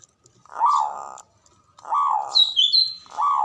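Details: Male zebra dove, a local Javanese bird, calling: three rolling arched coos spaced about a second apart, with thin high chirps from another bird between the second and third.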